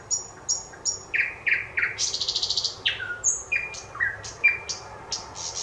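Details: Thrush nightingale song recorded on 25 May 2021, loud and clear: high piping whistles, then deep chocks, a rapid rattling trill, and varied whistled phrases with short pauses between them.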